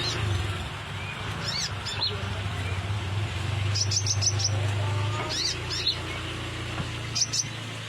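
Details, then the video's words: Sunbird song used as a lure: bright, high twittering chirps in quick little runs of four or five notes, spaced by pauses, over a constant low rumbling drone. "Kolibri ninja suara cocok buat pancingan"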